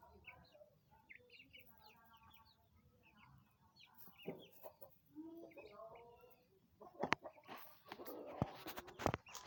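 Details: Young chickens, nine chicks aged 20 days, giving quick runs of bright, high cheeping peeps, several per second. The chirping thins out midway, and loud clattering bangs and scraping noises take over near the end.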